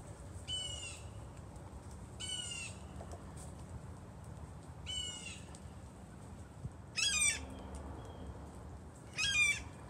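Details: A blue jay calling like a hawk on 28 October 2020 gives five harsh, hawk-like screams, roughly every two seconds; the last two louder and more ragged, over a steady background hiss.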